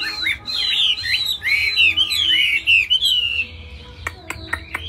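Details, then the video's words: Caged Chinese hwamei singing strongly when hung up: loud, rich whistled phrases swooping up and down, rapid and varied, then a few sharp clicking notes. "Chim hót hét tốt"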